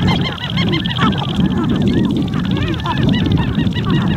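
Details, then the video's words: Sharp-tailed grouse at their lek in spring in Montana: many overlapping arched, goose-like cackles and cooing notes in a continuous chorus, steady wind roar beneath, recorded from a blind. "Montana Sharp-Tailed Grouse on the Lek"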